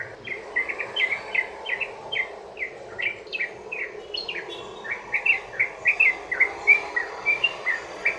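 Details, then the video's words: Sooty-headed bulbul long rolling song meant to lure other bulbuls into singing: a long busy run of rapid chirped notes, some sharply rising, packed closely together and growing denser toward the end. "trucukan ROPEL PANJANG buat pancingan burung trucukan agar bunyi jadikan trucukan gacor NYAUT"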